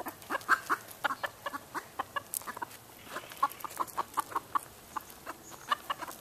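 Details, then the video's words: Alarm calls from a hen on a northern California ranch, raised because a predator is close: quieter, repeated staccato clucks in uneven bursts, with longer gaps between runs. "Hen Alarm Calls"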